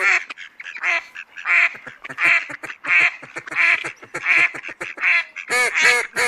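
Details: Mallard quacking in a steady series: loud, nasal, raspy quacks repeated about every 0.7 seconds, with short softer notes between them and a few sharper, higher quacks near the end.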